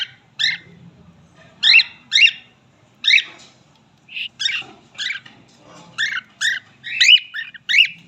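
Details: Male cockatiel in a busier chirping phrase: quick, sharp whistled and chattering notes in an uneven series, over a faint low hum.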